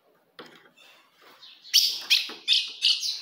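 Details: Ultramarine grosbeak female calling to provoke a male: faint scratchy sounds first, then four loud, piercing chips repeated about every third of a second, growing stronger.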